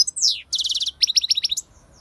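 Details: European goldfinch song: a high slurred note, then a fast run of repeated bright chirps and a second series of sharp, tinkling twitters, clear and close.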